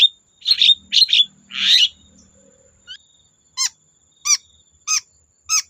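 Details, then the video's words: Long-tailed shrike singing to provoke other shrikes: a few harsh rasping notes open the phrase, then sharp descending whistled notes repeated about every two-thirds of a second, with a faint low hum early on. "Burung cendet gacor Bikin cendet bahan terpancing ikut gacor"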